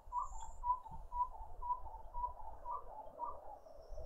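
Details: Garden birds at a feeder in a suburban garden in Pretoria, South Africa: soft, low cooing notes repeat roughly twice a second in a steady run, with a faint high thin whistle early on and low background rumble.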